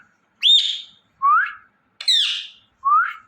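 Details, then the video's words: Indian ringneck parrot making natural sounds: four loud calls in quick alternation, a high buzzy harmonic screech then a lower rising whistle, repeated twice. "Ringneck Parrot Chirping And Making Natural Sounds"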